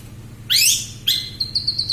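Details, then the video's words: Long-tailed shrike song fragment: two harsh, steeply rising high sweeps, followed by short, clear, high whistled notes in quick succession, over a faint low hum. "BURUNG CENDET MATERI TERBARU,SUPER GACOR+SPEED RAPET"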